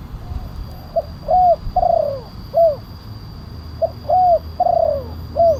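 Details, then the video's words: Spotted dove calling in the big-voiced kuk 1 style, meant to lure wild doves and tutor caged birds: two phrases of soft hoots, a rounded coo, a long sliding coo and a final short coo, separated by a pause. "Suara pemanggil burung tekukur kuk 1 penguku suara besar"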